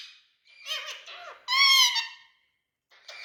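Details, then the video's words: Talking parrot voicing nasal, wavering harmonic calls, then a loud sustained squawk lasting about a second, followed by silence and a final brief squeal. "Talking Parrots"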